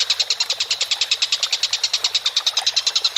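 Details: Collared kingfisher calling vigorously, used as a training recording for cage birds: a fast, even series of harsh, clipped notes, roughly nine per second, held steadily for the whole stretch with no other clear sounds.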